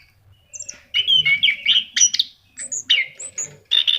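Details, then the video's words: Orange-headed thrush song meant to stimulate caged birds: after a quiet start, bursts of varied whistles and chattered notes, some high thin slurs, in phrases separated by brief gaps; faint low background noise. "SUARA ANIS KEMBANG GACOR"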